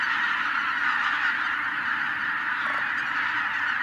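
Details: Wild geese numbering in the tens of thousands, put up by a white-tailed eagle, fill the air with an unbroken wall of honking, countless voices blurring into one thick, even clamour.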